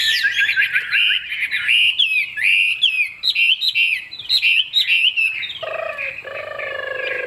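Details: Chinese hwamei in a cage, a fig-leaf-tailed bird sold for its song, strings together clear rising and falling whistled phrases in quick bursts, then shifts to lower, steadier drawn-out tones near the end.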